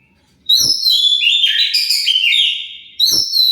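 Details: Loud Oriental magpie-robin song used as bait to draw replies from other birds; a continuous bright phrase of slurred and stepped whistles ending in a drawn-out note, then a new phrase begins.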